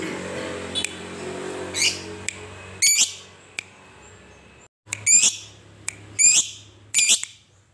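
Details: Fighter lovebird ngekek chatter used to provoke other lovebirds into singing: scattered bursts of shrill, high rattling notes and single clicks over a low background hum.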